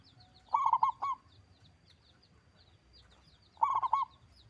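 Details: Local zebra dove, a loud big-voiced singer, delivering two low cooing phrases of about four quick rolling notes, over a second apart by three seconds, with faint high chirps from other small birds behind.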